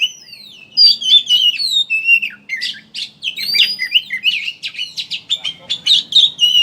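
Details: Oriental magpie-robin chattering 'ngeriwik' song used as a singing lure. Opens with a quiet lead-in, then rapid twittering with long descending whistles and scratchy notes, about three notes a second, growing busier toward the end.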